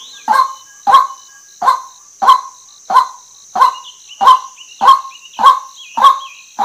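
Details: Female white-breasted waterhen calling, a recording said to draw waterhens in quickly: eleven harsh, honking notes repeated steadily about every 0.6 seconds, over a constant high insect hum and faint thin whistles.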